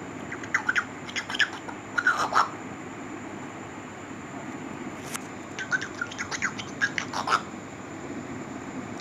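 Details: Grey parrot (African grey) muttering quiet, squeaky chirps and squawks in two loose bursts while sleeping, over a steady high electronic whine and a single sharp click.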